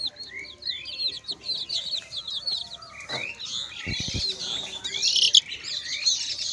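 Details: A group of chicks gives rapid, high, thin peeps that crowd together, while rustling and scraping noise grows louder toward the end, along with a short burst of knocking.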